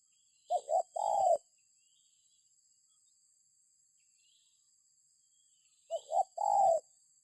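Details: A spotted dove, played as a lure for other birds, delivers two low three-part coo phrases, two short notes leading into a drawn-out coo, separated by a long silent gap and accompanied by a steady faint high hiss.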